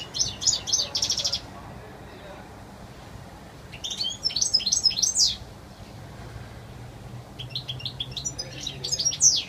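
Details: Clear wild song of a European goldfinch: three bursts of fast, high, tinkling twitters and trills, each lasting one to two seconds, separated by quiet gaps with faint background hiss.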